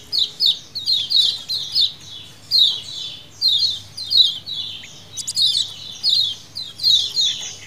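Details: Colony of lemon-bellied white-eyes calling as a lure in wild style: rapid high chirping bursts repeated roughly every half second, several birds overlapping, with one sharper burst midway and a faint hum beneath.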